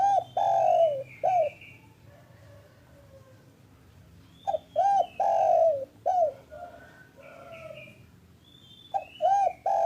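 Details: Local spotted dove in the afternoon, its call used to get lazy or silent doves calling. Repeated phrases of short rounded coos and a long descending coo, with light twittering of other birds between.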